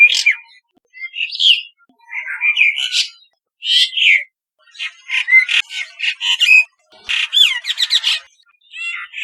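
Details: Brahminy starling in Rajasthan, India, gives a rambling run of short whistles, chatters and squeaky notes in bursts about a second apart, with brief gaps between.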